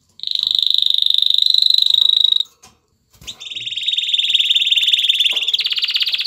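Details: Courting male canary stimulating a female to mate: a long, even, high whistled trill of quickly repeated notes, a short break, then a second long roll that shifts into a harsher buzzy trill.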